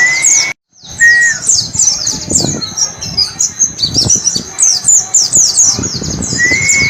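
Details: White-eye song in the "wit wit cer" ngalas style, played to teach caged birds. A brief silence opens it, then fast chattering strings of high downslurred chips, with a level whistled tone at both ends.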